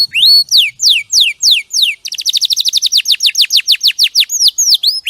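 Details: Canary singing clearly as a champion training recording, a run of slow downslurred whistles about three per second, then a faster steady trill of sweeping notes and a few looping calls at the end.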